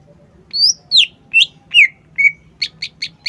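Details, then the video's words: Green leafbird (cucak ijo) singing: a series of loud, sweeping whistled notes, some rising and some falling, followed by a quick run of short, sharp chips near the end. A faint low hum sits underneath. "CUCAK IJO GACOR"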